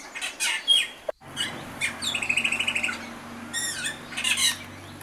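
An Austral thrush sings varied high phrases: sharp chirps, a fast rattling trill of about eight notes a second, then bright slurred whistles, over a faint low hum.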